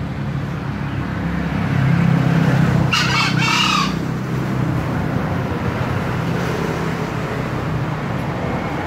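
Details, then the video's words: A single short, rasping crow from a green junglefowl, split into two quick bursts, heard over a constant low droning background. "ayam hutan hijau berkokok"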